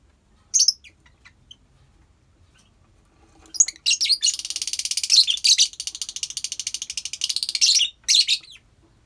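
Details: Lovebird colony kept for bird therapy, one sharp shrill note then a long rapid buzzy chattering trill lasting about four seconds.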